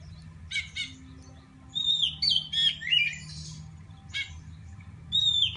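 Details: Singing Oriental magpie-robin from Pidie, Aceh, seeking a rival: clipped rattling notes, then a sweet wavering whistled phrase, more short chattering notes and a final whistled slur, with a low mechanical hum throughout.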